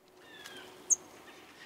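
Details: An American Tree Sparrow, a winter visitor from the far north to Illinois, gives a single soft, high, thin, very brief chew call, the kind given in flight, with faint distant whistled notes underneath.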